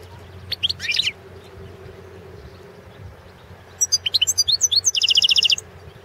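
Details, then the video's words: European goldfinch singing in a 2016 world championship goldfinch song competition recording: a short burst of high twittering notes, a pause, then a longer sequence of sharp chirps ending in a fast buzzy trill of repeated notes. "World championship in Goldfinch Song 2016"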